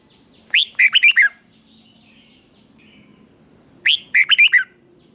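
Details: Two matching bubbly phrases from a caged red-whiskered bulbul, about three seconds apart. Each has five quick warbling notes. The song is in the doubled style and is meant for copying by young birds.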